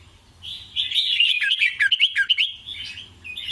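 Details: Red-whiskered bulbul song in the 'double rik scattered' style: a soft start builds into a rapid run of sharp, chattering whistled notes, then eases back to quieter warbling.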